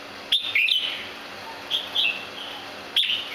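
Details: An extremely rare "Santa Claus" variety crested cage bird (jambul) gives short, high, slurred chirps in four quick bursts over three seconds, over a faint steady electrical hum.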